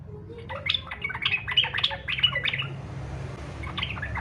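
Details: Yellow-vented bulbul singing in fighter style, used as a lure to prompt other bulbuls to sing: rapid bursts of bubbly, harsh chattering notes for almost three seconds, a short lull, then more chatter, over a steady low hum.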